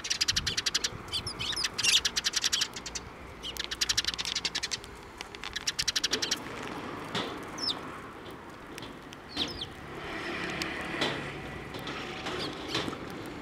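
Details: Sparrows coming down for food at a Tenmangu shrine, 19 April 2024: bursts of rapid wing flapping mixed with bright, sharp chirps early on, then sparser single tweets spaced a second or more apart over steady background hum.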